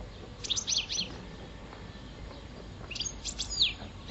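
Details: Five-year-old pet European goldfinch of subspecies parva singing in mating season; two bursts of bright, high twittering notes with quick sliding chirps, separated by about two seconds of quiet, over faint background hiss.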